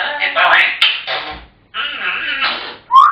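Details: African grey parrot mimicking human speech in two broad babbling phrases, ending with a short rising whistle.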